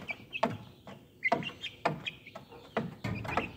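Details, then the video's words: Young Speckled Sussex chickens, hatched March 22, 2023 and heard April 30, 2023: brief high peeps mixed with soft lower clucks, arriving in separate bursts about every half second to second. "Speckled Sussex Chicks"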